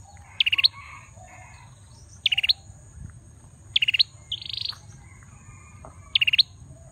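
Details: Male bar-winged prinia singing actively: short, sharp pulsed bursts of high chipping notes, each lasting about a third of a second and repeated roughly every two seconds, with faint softer bird notes between them.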